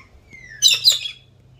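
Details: Lorikeet at a cafe giving a short, loud, harsh screech in two quick rasping bursts, high-pitched and noisy, with a low steady hum beneath.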